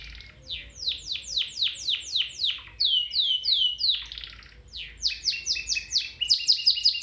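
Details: Domestic canary singing, a recording meant to train other canaries to sing: rapid runs of loud downward-sweeping notes, then a series of curved upswept notes, ending in fast clipped trills.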